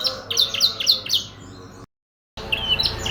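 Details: Singing canary: quick bursts of high, chirping and sliding notes that rise and fall, then a short silence before more bright whistled phrases resume.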